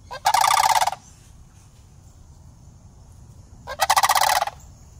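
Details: Two juvenile sandhill cranes greeting a person in a city where the birds stay year-round, filmed on an iPhone. Two loud, harsh, rapidly pulsed rattles, each under a second, sit about three seconds apart over quiet background.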